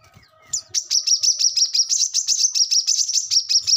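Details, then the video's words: Brown-throated sunbird song, recorded as a model for captive birds: after a short quiet lead-in, a continuous rapid series of high, buzzy chirps repeated several times per second. "kolibri kelapa | manggar | wiceh | korlap ngobra gacor pancingan / masteran burung korlap bahan"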